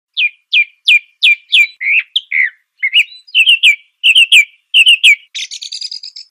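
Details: Song thrush singing: a clear whistled note repeated about five times in steady succession, then a run of doubled and tripled rising notes, ending in a short buzzy chattering trill.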